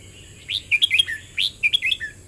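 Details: Short double-rik song from a red-whiskered bulbul: a rising whistle plus a bubbly trio of notes and a falling final note, then the same phrase again about a second later. Light continuous hiss in the background.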